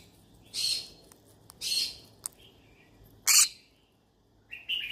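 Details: Yellow-sided conure looking for friends to talk to, giving repeated rough, screechy squawks about once a second, with short clicks between them and a shorter rising call at the close.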